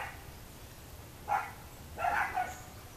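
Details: Recorded at Miraflores near Barinitas in Venezuela's Barinas state, a boat-billed flycatcher utters a short rasping note, then a longer harsh, buzzy double call after a pause, against soft steady background noise.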